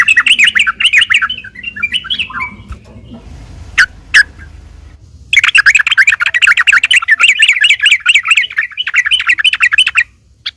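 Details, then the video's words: Fighting song of a sooty-headed bulbul, played as a lure so other bulbuls answer: brief scratchy chatter, a pause broken by two sharp clicks, then a long five-second run of fast, repeated chattering notes. "trucuk gacor taruNG buat pancingan trucukan agar bunyi"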